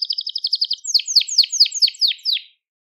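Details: Crested Gloster canary singing, useful for teaching young canaries: a fast, even high trill of short notes, then six slower loud downward-sweeping whistled notes about every quarter second before falling silent.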